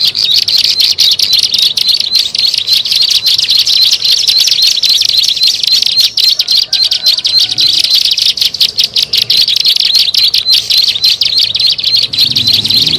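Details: Bar-winged prinia calling, a lure recording for attracting birds: a dense, unbroken run of sharp high chirps, rapidly repeated with little pause, continuing steadily throughout.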